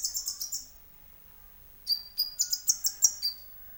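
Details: Konin sunbird singing as a lure to trigger song in other birds: a fast run of high thin notes, a short pause, then about eight sharp bright high chirps in quick succession.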